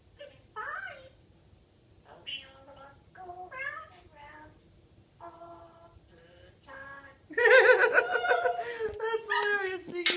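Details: Captive female African grey parrot singing the kids' song 'The Wheels on the Bus' among talk and burps; a string of short, varied voice-like syllables, then a louder, fuller run of sung words at the end.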